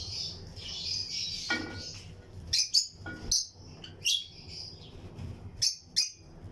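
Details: Pairs of lutino lovebirds chirp in a breeding colony flight aviary alongside other birds: thin high twittering early on, then separate sharp chirps every second or so over a soft low hum.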